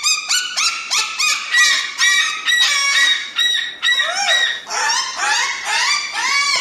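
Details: Crested cockatoo calling in a rapid run of raucous, honking squawks, some upward-sliding and some falling, about two per second, loud and close with a quiet background.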